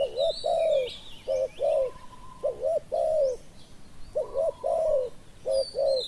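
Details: Spotted dove cooing during decoy luring of a wild dove: low mellow two-part coos, a short doubled note then a longer falling coo, repeated in clusters about every second, with thin high chirps of other birds behind.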